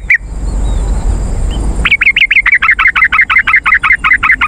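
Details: Yellow-vented bulbul calling, used to lure wild birds and get caged birds to respond. One lone note, a pause, then a long even series of about sixteen bright, slightly downslurred chattering notes, roughly six per second.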